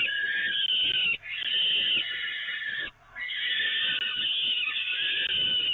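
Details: Peregrine falcons at the Evoluon, being fed from the grating, on 13 May 2018, give harsh, rasping, nearly continuous screams, broken by two brief pauses, with no other clear sounds.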